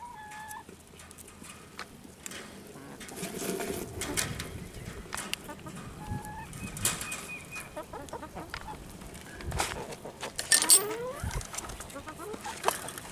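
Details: Chickens eating June bugs give short clucks and a few rising squawks over a busy, rustling background.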